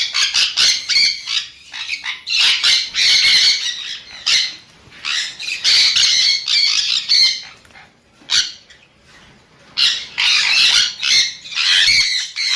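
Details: Harsh, grating screeches from a sun conure come in loud bursts lasting one to two seconds, separated by brief pauses, with a lull around eight seconds.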